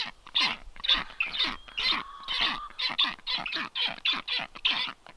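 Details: Black stork at its nest, filmed by a livestream nest camera on 9 July 2023 as an unringed strange stork lands on the balcony; harsh, raspy, wheezing pulses repeat about twice per second in a steady rhythm.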